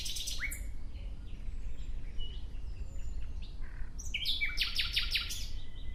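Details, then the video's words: Nightingale phrase that starts with a rising whistle and scattered soft notes, then builds to a fast run of about seven loud, repeated, clipped notes. Distant thin calls and low ambient rumble are also heard. "Relaxing clear sound of Nightingale"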